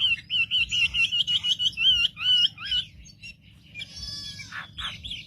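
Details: Wambi song used as a lure to provoke other wambi birds: about three seconds of rapid, wavering high whistles held near one pitch, then softer buzzy, rasping notes with a low background hum.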